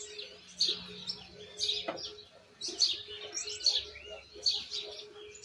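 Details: A learning young Argentine white goldfinch delivers bursts of high, scratchy twittering notes about once a second, with one click-like thud partway through and a steady low hum throughout.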